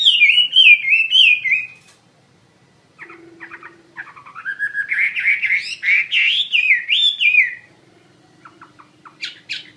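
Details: Wambi mandarin bird in active song: a phrase of wavering whistles, a pause with soft chatter over a steady low hum, then a louder climbing run of looping whistled notes and a few closing chirps.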